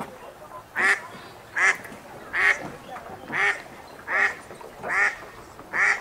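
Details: Wild ducks eating and splashing on a river in a city park give a regular run of loud, raspy quacks, roughly one every 0.8 seconds, seven in all, over a soft wash of water.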